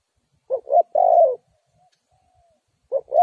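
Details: Spotted dove voice used as a lure to catch wild doves: one complete phrase of two short notes and a prolonged low coo, then a faint trailing tone and the start of the next phrase.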